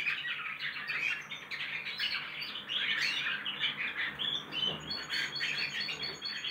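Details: Juvenile goldfinch x canary hybrids rehearsing their song: bursts of rapid twittering and scratchy, squawky notes that rise and fall in loudness, with brief dips between phrases and a few clear whistled tones.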